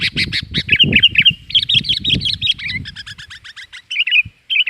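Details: Lively sooty-headed bulbul (kutilang) lure calls: dense, chattering chirps and warbled notes, fast and continuous, over a low pulsing background rumble.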